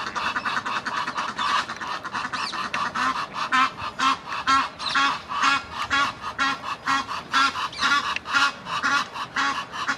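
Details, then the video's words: An Egyptian goose gander trying to win back his female; the geese give harsh, rasping honks, about two each second in a steady run, with a lower husky note pulsing beneath. "Anderer Nilgans Ganter versucht sein Weibchen wieder zurück gewinnen"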